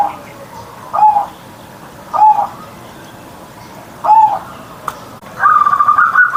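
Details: Morning song of a kept zebra dove in Indonesia: a few isolated short coos spaced about a second apart, ending with a longer higher trilled phrase.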